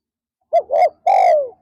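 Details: Single full phrase from a spotted dove used as a decoy in the afternoon to lure wild doves: two short rounded notes, then a long coo sliding gently downward.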